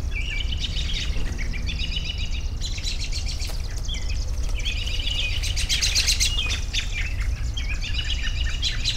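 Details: Overlapping bird twitters and trills come in waves, with brief whistled notes between the louder bursts and a continuous low drone underneath.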